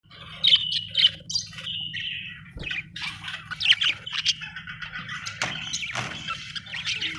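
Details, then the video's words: Budgerigar chirping, described as an Australian bird: bright, scratchy warbled chirps and short whistled notes in bursts, with a steady low hum underneath throughout. "Australian beautiful birds sound 😍 budgie chirping sound"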